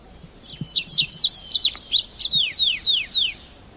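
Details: Red avadavat, a small red-rumped finch of scrub and grassland, giving a rapid run of high, thin, sharply descending 'psip' notes, about four per second, some overlapping, with faint low rumbling behind.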